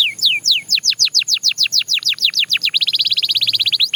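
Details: Belgian canary singing a rapid roller-style song: a few slow, high descending whistled sweeps, then a long tour of quicker downward slurs, ending in a fast, dense trill of short, high notes.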